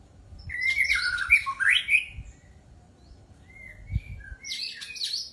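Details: White-rumped shama song: a rich burst of rapid whistled and rising notes, a quiet gap with a few soft whistles, then a high chattering phrase at the end.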